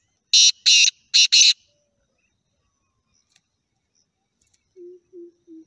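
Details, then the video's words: A black francolin gives a fast burst of four harsh, grating notes, then after a pause three soft, low hooting notes. "Sound Effect - Black Partridges"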